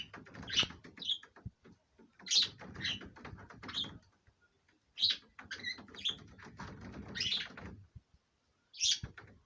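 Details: Pet budgerigar pair, let out of the cage, in courtship: bursts of soft chattering warble with sharp high chirps, repeated in groups every one to two seconds, short quiet gaps between.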